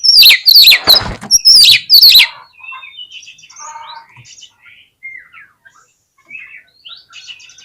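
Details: Oriental magpie-robin song used as a fighting lure for birds reluctant to spread their tails. It opens with loud, rasping, explosive bursts over about two seconds, followed by soft scattered whistles and chatter.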